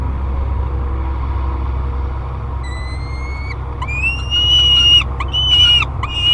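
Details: Young peregrine falcon, 30 days old, in a nest box at Great Spirit Bluff, July 2021: only low hum at first, then after a few seconds a series of rising, drawn-out wailing calls begins and grows louder.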